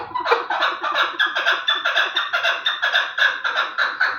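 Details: Chukar partridge of the Terali type in a fast, even, rattling series of raspy chuk notes, about five per second, with no pause.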